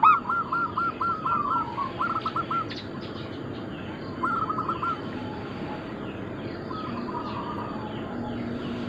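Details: Local Zebra doves of Bangkok-crossing type in a group singing recording meant to lure and train birds: a few soft, fast trills of hollow coos early on, then quieter stretches of steady background hiss.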